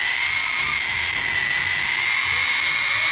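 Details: Young hand-fed male Sulphur-crested cockatoo of the large Australian type, still spoon-fed two to three times a day, begging loudly for food: a continuous harsh, hissing rasp held without pause throughout.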